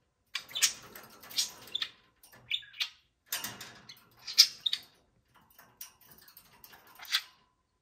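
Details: A pair of caged pet budgerigars bouncing around one Friday morning give scattered raspy chirps in small clusters, separated by short quiet gaps, some notes buzzy and broad, others thin and high.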